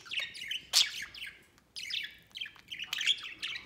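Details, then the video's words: Budgies playing outside their cage; two bursts of excited chirping with clicking, buzzy notes and quick warbles, split by a brief lull. "Happy Budgies Playing Outside Cage"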